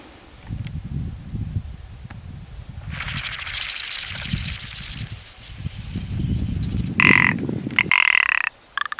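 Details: Rock ptarmigan rattle, loud and grating near the end, after a long stretch of rushing, windy noise and low rumbling.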